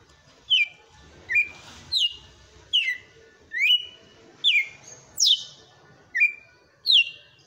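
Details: Kept red-cowled cardinal giving a forceful song in the 'açoite' style: sharp, clear whistled notes slurring downward, about nine in seven seconds at uneven intervals, each loud and ringing, over a faint low background hum.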